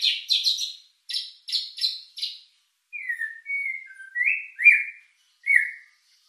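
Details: White-rumped shama lure song for stirring emotion and breeding drive: clipped high buzzy notes in groups of three, then a series of clear slurred whistles, some rising, some falling.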